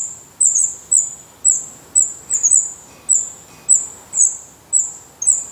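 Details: Black redstart nestlings in Portugal, eyes open and growing feathers, make a slow series of high, thin, hissing begging notes, roughly one per half second, each with a quick sharp onset.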